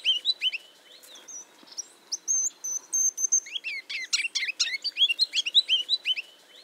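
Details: Ruby-crowned Kinglet spring song in a Central/Eastern US backyard: thin, light high notes at first, then accelerating into a rich musical twittering run that ends with a few loud, bright repeated phrases.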